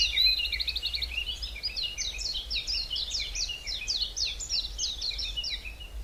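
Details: Woodland birds in the Hallerbos, Belgium: a short fast trill opens, then a steady stream of high, quick, downward-sweeping notes continues throughout, over a faint low rumble.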